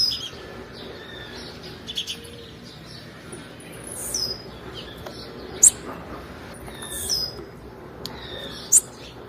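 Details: Blue-black grassquit female call meant to stir up males. Brief high piercing chips recur at irregular intervals, mixed with faint, thin, high notes over a quiet hiss.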